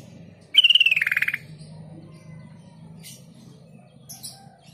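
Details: Sooty-headed bulbul lure meant to make mute, newly caught birds answer within seconds: one bright, rapidly pulsed phrase that starts high and slides lower, lasting under a second, over a steady low hum and a few faint chirps.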